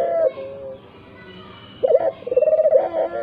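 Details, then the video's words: Tekukur puter coo meant to prompt other doves to call. After a fading low note and a quiet pause comes an abrupt rising note that breaks into quick pulses and settles into a sustained low coo. "tekukur puter gacor pikatan burung walau bisu sekalipun"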